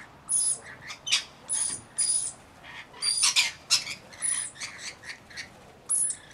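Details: Several rainbow lorikeets chatter while bathing and feeding, mixing harsh squawks with clicking, rattling notes. Loud bursts come irregularly, with a cluster of rapid sharp calls midway.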